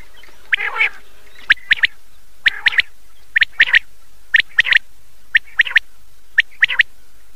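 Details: Common quail heard at night, old cassette recording: after one hoarse note, crisp paired and tripled high notes come at roughly one-second intervals, evenly paced and clear against a quiet background.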